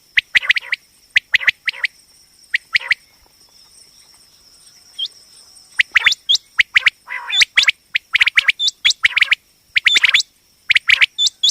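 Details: Female common quail call, a sound used to hunt and trap quail: volleys of sharp clipped notes and hooked whistles, a quiet gap in the middle, then a busier stretch, with a steady high electronic tone.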